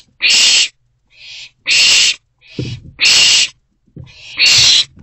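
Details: Owlet feeding on a large rodent inside a nest box in the early hours of 24 April 2024: four harsh, breathy screeches about one second apart, separated by quieter scuffling and shuffling sounds.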